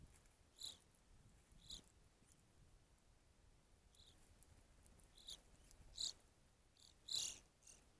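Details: Evening grosbeak at a feeder producing scattered short, sharp, high call notes, single or in quick pairs, louder toward the end, with long quiet gaps between.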